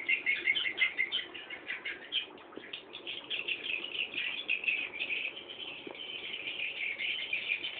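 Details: Swiftlet chicks waiting for the parent to return, producing a busy, continuous chatter of high scratchy chirps with pulsing loudness and a few faint clicks.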